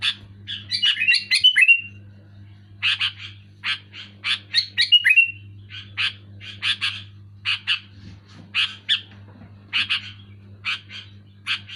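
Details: Sooty-headed bulbul singing loudly and clearly: a rapid bubbly burst of tumbling notes, then spaced harsh chirps and brief warbled phrases with falling slurs, continuing irregularly over a constant low hum.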